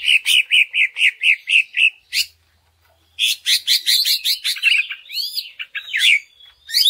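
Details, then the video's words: Cucak ijo, the greater green leafbird, singing a lure song meant to rouse other leafbirds: a fast run of about nine repeated chirps, a brief gap, then a varied burst of sharp notes and slurred whistles. "Pancingan Cucak Ijo Sangat Ampuh Untuk Menaikan Mental Ijo Lain Agar Mau Jamtrok Bongkar Isian"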